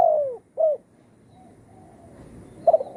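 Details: Spotted dove lure call for trapping, in the one kuk or two gayau style; a falling coo and a short second note, then near silence before a brief cooing fragment at the end.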